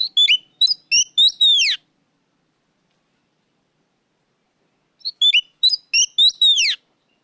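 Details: Oriental magpie-robin singing loudly and clearly: a rapid cluster of sweet whistles and swooping, descending slurs in a burst of about two seconds, long silence, then a matching second phrase ending on a drawn-out falling note.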